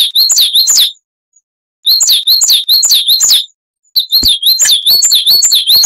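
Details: Coal tit, Periparus ater, in a training recording for cage birds: bursts of high, repeated two-note phrases, bright and slurred, in rapid series separated by short silent gaps.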